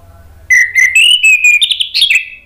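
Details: Captive male orange-headed thrush singing to draw other birds into song: a steady whistled note, then higher, rising phrases and a buzzy, warbled finish, delivered loud and close.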